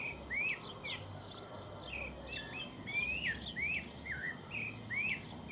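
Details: Morning birdsong in the countryside, a string of bright rising whistles with short hooked endings, repeated roughly every second against quiet background noise.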